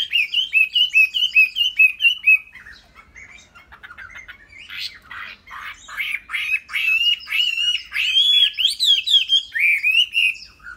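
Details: Captive, tame Chinese hwamei delivering a string of bright repeated whistled notes, then a brief softer chattering stretch before rich, wavering whistles rise again, rolling on in quick succession.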